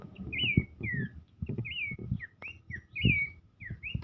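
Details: Dancing Abbott's babbler in full song, giving slurred whistles that rise and fall, mixed with low thumps and rustling noises close by.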